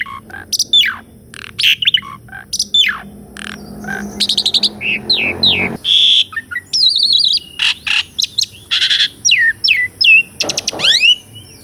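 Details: Asian pied starling singing a training song full of rolls and varied phrases, recorded with a Sony A6400: scratchy notes give way to downslurred whistles, buzzy trills and a bright descending sweep near the end.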